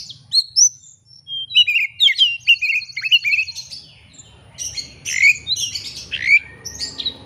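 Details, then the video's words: Oriental magpie-robin singing against a rival, meant to provoke birds into showing their repertoire: sweet whistled upslurs and downslurs mixed with buzzy trills and harsh rattles, continuous and varied. "kacer ngeplay cari lawan. pancingan kacer agar bongkar isian.!!!"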